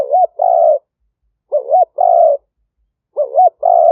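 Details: Live recording of a spotted dove decoy at a dove camp in northeastern Thailand, used to bring in wild doves: close, loud phrases of two clipped looping notes followed by a sustained trembling coo, three times in quick succession.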